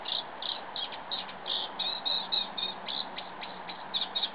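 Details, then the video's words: Eurasian reed warbler singing in windy weather: a fast, steady chatter of short harsh notes, about four per second, with some phrases doubled, over a constant low roar of wind. "reed warbler singin' in windy weather!"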